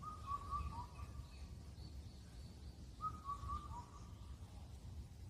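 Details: Indian cuckoo recorded on Cheonmasan in Incheon, Korea, known for calling through the night at the end of the spring hunger season; two rhythmic four-note whistled phrases about three seconds apart, with faint low background rumble.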